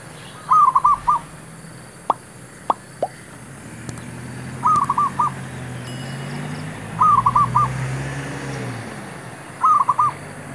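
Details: Luring call of a zebra dove for trapping wild birds: four short clusters of rapid hollow coos, each three or four notes, spaced two to three seconds apart, with a few sharp clicks and low rumbling in between.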